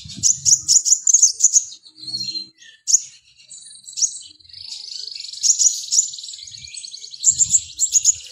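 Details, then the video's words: Mountain white-eye in vigorous song: rapid high chirps and twitters, a thin sustained whistled note, then dense buzzy warbling, with a few soft low knocks at the start and end. "Burung Sogon Otong Gacor"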